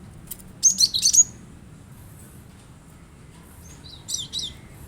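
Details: Cinereous tit, a recording used to coax caged birds into singing: a fast burst of four or five high, sharp chirps, then a pause and a softer, thinner cluster of high notes near the end.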